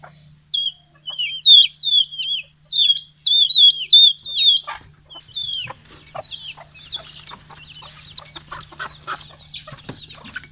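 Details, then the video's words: Morning in Betbari, Fulbaria, Mymensingh, 6 October 2018: many chickens of all sizes released from the coop and fed; rapid shrill peeps at first, then soft scattered clucks and scratching sounds. "Sound of Hen- মুরগীর ডাক- Hen Sound Effect"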